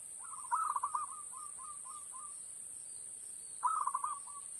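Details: Zebra dove lure call played from an MP3 player to draw birds into a trap: two bursts of rapid, bubbling cooing notes, each a quick run of four to five pulses trailing off, separated by a pause, over a steady high electronic whine.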